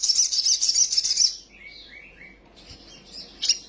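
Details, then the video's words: High, rapid, shimmering trill from an excitable sunbird in full song, then a few softer lower slurred whistles and a faint renewed twitter ending in a sharp chip. "PANCINGAN BURUNG KOLIBRI SOGOK OTONG BAHAN CEPAT EMOSI BUNYI FULL ISIAN SOGON NGELEPER"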